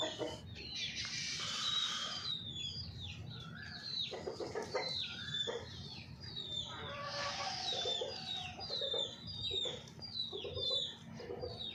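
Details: Golden Misri chickens: repeated soft clucks and harsher bursts, with many high, thin, downward-sliding peeps of chicks throughout and a steady low hum behind.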